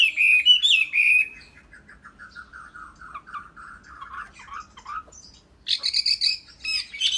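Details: Tame Chinese hwamei opening with bright whistled notes, then a softer, lower run of repeated warbled phrases, ending in a burst of harsh, buzzy, rapidly repeated notes.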